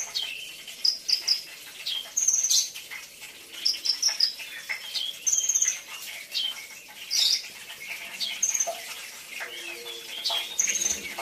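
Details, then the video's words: Brown-throated sunbird singing as premium training material: short, very high, sharp trilled phrases at irregular intervals, about nineteen a minute, with softer chattering between them. "isian mewah Kolibri ninja"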